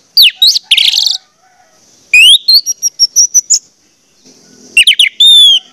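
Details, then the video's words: Orange-headed thrush singing, used as a lure to prompt other orange-headed thrushes to sing: loud, clear whistled phrases with sharp rising and falling sweeps, delivered in three bursts separated by short pauses. "pancingan anis merah bikin anis merah lain cepat ngeplong"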